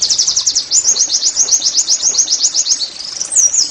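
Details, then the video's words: Oriental white-eye song for caged-bird therapy: an unbroken, rapid high trill of chirps at about four per second, finishing with a drawn-out swooping slur. "TERAPI NEMBAK PLECI I, Agar Pleci anda cepat GACOR BOS!!"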